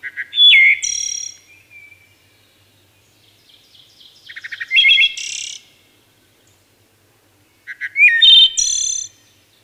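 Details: Wood thrush singing three flute-like phrases about four seconds apart, each opening with a few low stuttered notes, sliding into a clear whistle and ending in a high shimmering trill; quiet background.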